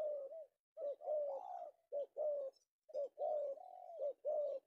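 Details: Male spotted dove (tekukur) in Indonesia, newly caught in the afternoon and valued by bird trappers, delivers rhythmic, rolling coos in phrases of about one per second, with brief pauses.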